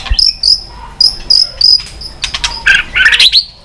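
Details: White-rumped shama, roused to sing on its perch with tail-flicking: thin high whistled notes spaced about half a second apart, sharp clicks, then a short burst of jumbled warbling.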